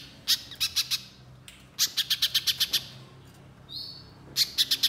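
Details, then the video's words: Lure song of a Little spiderhunter in the 'nembak' shooting style: short clusters of crisp, high chips, four to seven at a time, with gaps between, plus a short rising whistle shortly before the last burst. "Pancingan Pijantung Pisang Gacor Agar Pijantung Bahan Cepat Bunyi Nembak Mbeset Rapat"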